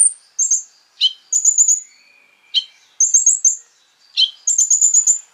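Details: Sunbird (konin) lure song with high trilled runs alternating with sharp descending chip notes and a faint lower buzzy whistle, phrases spaced about a second apart.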